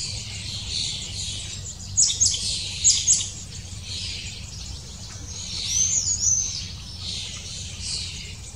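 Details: Parent long-tailed tits feeding near-fledging chicks: high, thin chirping notes clustered around two and three seconds, then a brief burst of sharp twittering near six seconds, over a constant low hiss.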